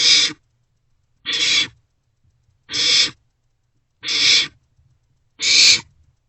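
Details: Barn owl chicks begging inside a nest box around 2 am, late March, during an unusual shared meal; five raspy hissing screeches, roughly one every second and a quarter, fairly regular rhythm.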